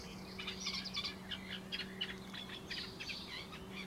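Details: Reed warbler in a laurel pouring out rapid, scratchy chattering phrases, the notes jumping up and down in pitch, over a constant low droning hum.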